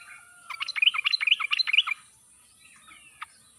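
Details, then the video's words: Wild-sounding yellow-vented bulbul song meant to prompt silent birds to answer; a fast, bubbly chatter of mixed whistled notes runs for about one and a half seconds, then a single short note follows. "trucuk mandek/malas bunyi langsung nyaut mendengar pancingan trucuk khas suara ngalas ini"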